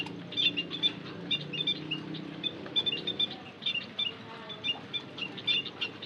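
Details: White-headed munia lure calling: steady stream of tiny high, clipped chirps and squeaks, several in quick succession, repeating irregularly over a low murmur.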